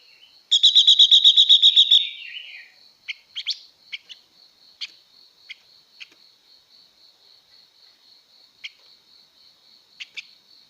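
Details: Female blue-winged leafbird singing to rouse males: a rapid buzzy trill of about ten quick high notes lasting over a second, then scattered short sharp chirps, with a steady high electronic whine underneath.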